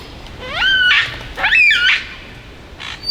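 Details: Superb Lyrebird male singing from a log in the Dandenong Ranges near Melbourne, Australia, imitating other birds: two loud rising-then-level whistled phrases with rich harmonics, about a second apart, followed by a softer rustle.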